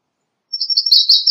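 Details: American redstart song, a single high, thin phrase of quick sibilant notes that starts after a pause and runs to the end, with no other sounds.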